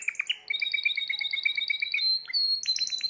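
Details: Timbrado canary, seventh bird of a 2020 collection, sings a sustained beaded trill climbing in steps toward a high held tone, then quick descending clicks.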